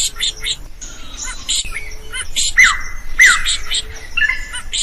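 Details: Drongo, its song used to train other caged birds: chattering high chips and a long thin whistle, then two sharp falling whistled notes and a buzzy ending phrase.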